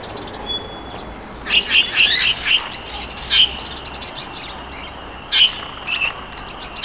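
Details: Several parakeets in an aviary at the Neues Kranzler Eck in Berlin, showing social behaviour, give short, bright chirps and squeaky notes in loose bursts, mostly high-pitched, against a steady hiss of background noise.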